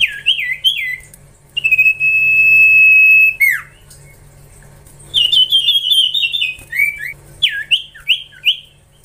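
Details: A young Common Iora in captivity, trained to sing, gives warbled slurred notes, then a sustained level whistle that drops sharply, followed by a rippling trilled phrase and a string of short downslurred chirps.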